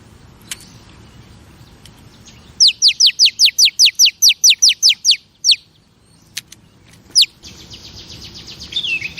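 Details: Female oriental magpie-robin, sounds to stimulate male birds: an even series of about a dozen sharp descending notes, roughly two per second, then isolated strokes and a hissing background with a faint whistle.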